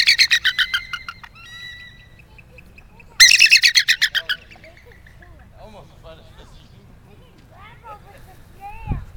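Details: Bald eagles, including young birds, among over 30 gathered in a back yard in Unalaska, Alaska, feeding on salmon heads and guts during the summer salmon run, give high, thin chattering calls in two rapid bursts of piping notes; softer calls, voices and music faintly behind.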